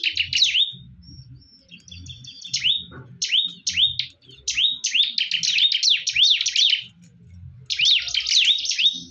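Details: Fierce fighting between bar-winged prinias. Bursts of quick, sharp, high chirps come in clusters separated by brief pauses. The bursts become a fast, dense run in the middle, with soft low rumbling in the background.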